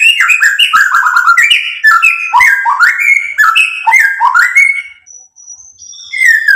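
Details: Rich, fast song of a white-rumped shama meant to provoke rival birds to sing, a continuous stream of warbled, slurred whistles jumping up and down, ending in a few quiet thin notes.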